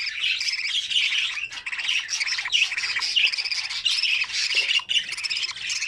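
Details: Budgerigar chicks in the nest, feeding each other: continuous hoarse, grating chirps in a steady string of bursts with only brief breaks.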